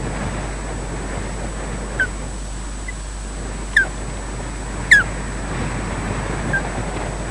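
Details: Osprey at a Loch Garten, Scotland nest during a slow changeover between the pair, captured by a wildlife camera: three to four short, high downslurred chirps at uneven intervals, the third loudest, with steady low hum and rustling beneath.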